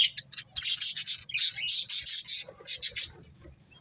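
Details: Budgerigar breeding pair giving loud, harsh, high chattering notes packed into rapid pulses, one continuous stretch of squawky chirps that thins toward the end.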